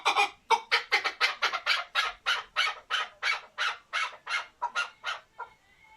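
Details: A male chukar partridge kept as a hunting decoy and starting to liven up repeats loud, harsh, broadband chuck notes about three per second. The run slows slightly before fading out.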